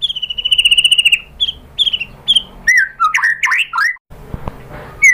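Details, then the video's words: White-rumped shama singing to provoke other birds to answer: a rapid series of clear whistled notes held on one pitch, then short whistles and quick varied slurred phrases, ending with brief low thumps. "PANCINGAN MURAI BATU GACOR bikin EMOSI jadi NYAUT BONGKAR MATERI ISIAN ¦ SHAMA BIRD"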